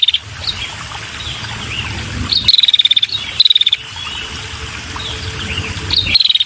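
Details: A female red-headed prinia calls to lure males with three or four sharp, rapidly pulsed high trills, each lasting about half a second. Quieter faint chips and low background noise fill the gaps.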